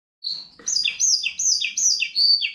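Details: Goldfinch x canary hybrid singing: a run of bright high notes, each a short whistle dropping into a lower slurred chirp, repeated about every half second, clean and loud against a quiet background.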